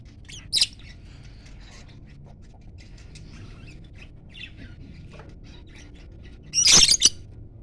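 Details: Pet lovebirds, two pairs, call back and forth: a brief shrill squawk opens, then a long stretch of soft, sparse chirps, ending with a loud cluster of harsh, piercing screeches.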